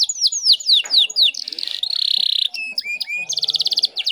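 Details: Female canary in breeding condition, luring a male and encouraging other canaries to sing: descending chirps, then a long buzzy rolling note, rising slurred whistles and a closing fast rattle.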